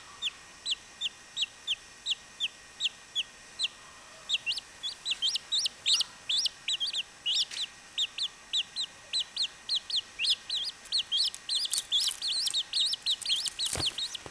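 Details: Chachalaca chicks peeping: sparse, evenly spaced high notes at first, then growing denser and more excited as several overlapping voices join, ending in a crowded chorus of sharp peeps.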